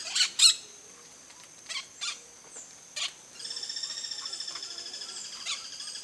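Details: Campo flicker, a terrestrial woodpecker of open country that feeds on ants and termites: a few sharp, loud call notes, then a steady, fast series of repeated high-pitched notes.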